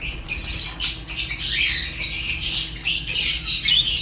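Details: Fischer's lovebirds keep up loud, continuous high chatter of scratchy chirps and squeaky whistled notes, with only a couple of brief dips.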